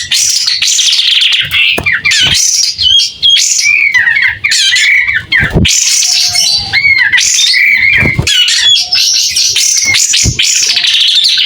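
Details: Energetic White-rumped shama spreading its tail as it sings clearly, long run of bright whistles, quick slurred notes and rasping chatters, nearly continuous throughout.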